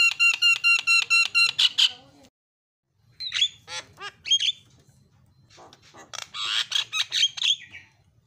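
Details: Javan myna song played to coax a silent bird: loud nasal repeated honking squawks, a pause, then jumbled harsh chatter and squeaky whistles.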